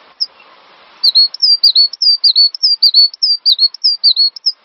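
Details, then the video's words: Master recording of cinereous tit song for training songbirds: one early whistle, a short hiss, then a sustained rapid series of high clear notes, many falling then flattening, repeated roughly a hundred times a minute. "Master Burung Gelatik Batu Full Ngisi"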